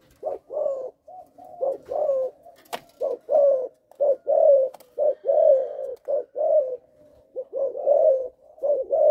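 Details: Spotted dove of Malaysian stock, caged, with a stammering start of three notes to its coo. Deep, mellow coo notes repeat steadily in short groups with brief pauses, one sharp click midway.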